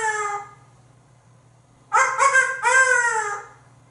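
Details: Male African grey parrot kept as a pet in a Texas home, hatched in 1997, making a fading harmonic note followed by three quick, nasal, clucking squawks in a row. The calls are chicken-like and set against a steady indoor hum.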